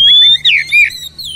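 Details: Oriental magpie-robin giving a short loud phrase: a long steady whistle, then swooping, wavering whistled notes that fade away.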